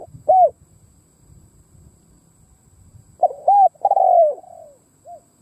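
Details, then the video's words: Cooing decoy spotted dove luring wild doves: a single loud arched coo, quiet gap with faint low rustles, then a rhythmic coo phrase ending in a long falling note and one soft final coo. "Tiếng cu mồi đất gù gáy kích bổi"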